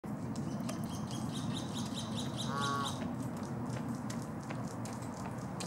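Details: Canada goose in Los Gatos, California, USA, on 16 March 2019, giving a single short nasal honk midway through, with a steady low rumble and scattered faint chirps from other birds in the background.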